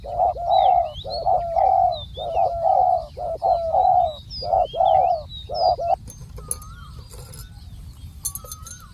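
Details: Decoy spotted dove calling on the ground during dove decoying: a run of deep, hollow coos in close phrases over six seconds, then quieter, with thin whistles and chirps of other birds above.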